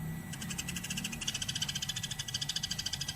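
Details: Eurasian tree sparrow chirping nonstop, a recording meant for tutoring cage birds: dense, rapid, buzzy chirps repeated several times a second, overlapping into a continuous chatter, with a faint steady hum underneath.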